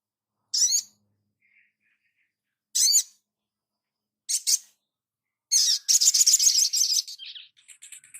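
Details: Crimson sunbird master recording for training: three separate sharp, high chirps spaced apart, then a dense, rapid buzzy trill that fades into fainter thin high notes.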